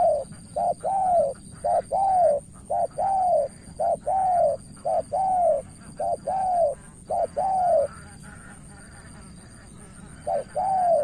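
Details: Cà Mau, Vietnam spotted dove used as a decoy against an experienced opponent: long run of evenly spaced cooing pairs, quick note plus longer bowed note, about once a second, pausing near the end before resuming; steady faint high tone.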